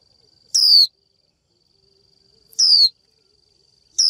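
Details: Female Japanese white-eye giving her 'chíu' call to lure a male into song: three strong, bright notes each falling steeply in pitch, roughly two seconds apart, with a continuous faint high whine behind.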